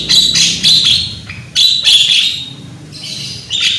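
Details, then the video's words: Young Javan myna with a strong voice, a lure to make others sing: loud, raspy chattering phrases in three bursts separated by short gaps. "PANCINGAN BURUNG JALAK KEBO AGAR GACOR !!! JALAK KEBO MUDA SUARA KERAS !!"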